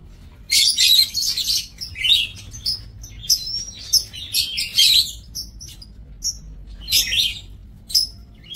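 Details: Several lovebirds kept in an aviary, recorded on 5 July 2024, give shrill, raspy chirps in rapid overlapping bursts, loud clusters recurring every second or so against a quiet background.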